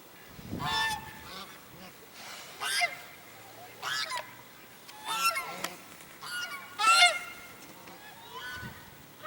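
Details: A flock of African geese at Jordan Valley, recorded January 19, 2021, honks repeatedly, with harsh trumpeting calls about every second or two and softer honks in between.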